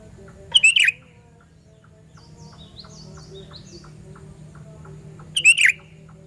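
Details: Two short, loud bursts from a sooty-headed bulbul, a call for luring bulbuls, about five seconds apart: each a fast, bubbly, descending phrase, with faint high chirps and soft ticking filling the quiet gap.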